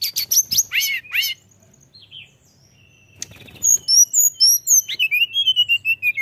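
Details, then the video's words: Mountain tailorbird in energetic full song: bursts of high, sharp notes sweeping down, a quiet pause, then thin whistled phrases and rapid high chips continuing to the end. "tledekan gunung gacor bikin emosi dan langsung bunyi"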